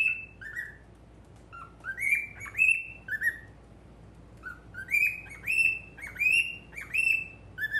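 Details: Caged-pet male cockatiel of the normal colour whistling toward a mirror: quick series of clear notes, rising slurs followed by flat falling tones, bunched into two lively bursts with a short gap.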